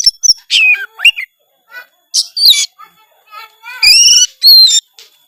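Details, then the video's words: Kacer, an Oriental magpie-robin, in energetic gacor song full of isian notes: rapid varied whistles sliding down and up, buzzy trills and ringing high phrases, delivered in quick bursts with brief pauses. "suara kacer gacor full isian"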